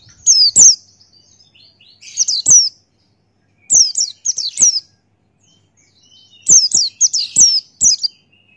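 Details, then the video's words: Male Buxtoni white-eye singing energetically in the wild-style 'ngalas' manner, used as tutor song for caged birds: clusters of sharp, high, down-slurred chirps in bursts about every one to two seconds, separated by silence. "Masteran Pleci Buxtoni Ngalas Buka Paruh"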